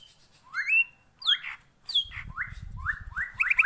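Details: ['Green leafbird singing ngentrok style, played as a lure to get another to sing: loud slurred whistles rising then falling, spaced about half a second apart, ending in quicker rising notes over faint low rumble.']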